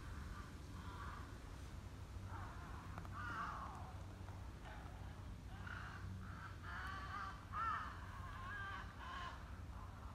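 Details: Crows give harsh, repeated caws over the low rumble of a passing train, recorded 22 January 2020 while a female Shiba Inu listens.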